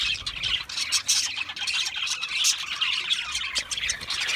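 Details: Budgerigars chattering in a thick, high, scratchy warble, broken by short squeaky chirps, with no gaps.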